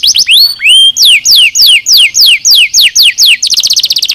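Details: Training song of a canary: two upswept whistles, then evenly spaced steep descending notes about four per second, finishing in a very fast rattling trill.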